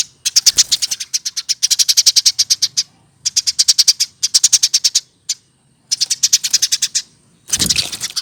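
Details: Eurasian tree sparrow, a pet bird raised by hand and now past one year of age. Long, dense volleys of shrill rapid chirps in four main bursts, ending with a loud noisy rustle.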